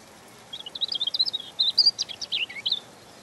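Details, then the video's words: Rich, varied European robin song of warbled high notes, fluttering trills and quick slurs strung together without a break for nearly three seconds. "Ласковое пение Зарянки(малиновки)"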